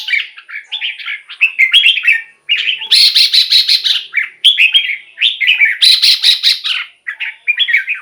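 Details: Red-whiskered bulbul singing a lively sequence of warbled, chirping phrases with quick buzzy trills in between, repeated without pause; the song is played to rouse caged birds or draw in wild ones.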